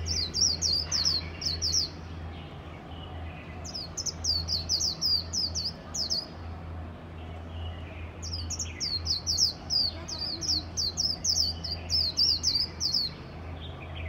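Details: Japanese white-eye singing passionately, repeated phrases of quick, high, slurred twittering notes, three main bursts each lasting two to three seconds, set against a steady low mechanical hum.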